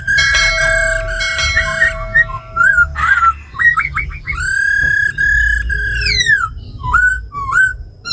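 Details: Tame laughingthrush in captivity singing forest style with a female's ro khẹt calls, played to rouse wild-caught birds. Layered whistles open the passage, followed by short hooked notes, a long held whistle, and falling slurs.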